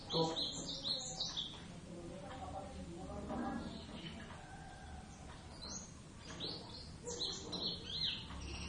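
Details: Two Javan Oriental white-eyes sing a practice duet in rapid chattering 'ngeriwik' style: high, thin chirps and short trills in quick bursts, mixed with nearby men talking and background noise.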